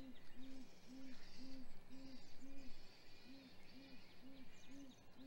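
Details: Great grey owl pair at the nest in hatch week, morning of 27 April 2020, male bringing prey to the female amid much calling: a steady series of deep, evenly spaced hoots, about two per second, with distant small birds singing behind.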